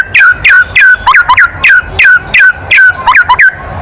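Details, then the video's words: Loud kretekan of a white-rumped shama, used to rile other birds: sharp down-slurred notes repeated about three times a second, some doubled into quick pairs, over a quiet background. "SUARA KRETEKAN MURAI BATU KERAS MEMANCING EMOSI"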